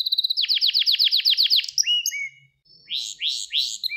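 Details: Gloster canary training song aimed at rousing males: a fast rolled trill, sharp upslurred whistles, a short pause, then three loud rising swoops.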